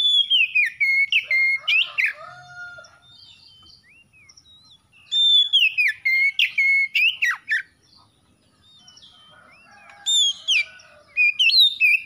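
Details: Magpie-robin song in three loud bouts of clear whistled slurs and sharp rising notes, separated by quieter pauses with soft twittering, each bout opening with a long falling whistle.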